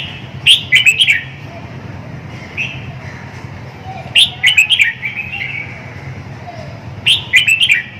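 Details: Red-whiskered bulbul giving three bursts of quick, liquid, chirping song phrases roughly every three seconds, each a tumble of rising and falling whistled notes, with quieter warbles between bursts and a faint low background hum.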